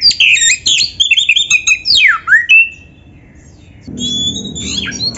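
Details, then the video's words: Gacor kacer, white-rumped shama, delivering loud jumbled whistles and a deep falling swoop, a silent gap, then more high whistles over a low rumbling background. "MASTERAN KACER GACOR FULL ISIAN"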